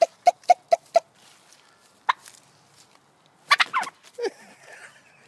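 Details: A white female turkey, who loves attention, gives five quick, evenly spaced hiccuping clucks, then a sharp yelp and a burst of rougher, wavering calls.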